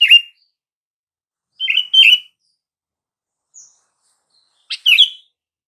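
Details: Short chirping calls of a sooty-headed bulbul, intended to make silent bulbuls respond: scattered bubbly notes and paired chirpy whistles with gaps of a second or more, plus one faint high peep.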